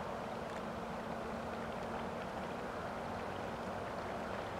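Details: Steady broadband rushing noise, like water or a distant engine, continues throughout with no animal calls.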